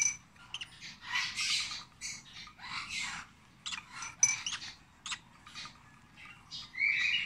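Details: Hand-fed rosy-faced lovebird nestling at 26 days of age gives repeated raspy, wheezy bursts, some long and some clipped, mixed with brief squeaky notes over a steady low background hum.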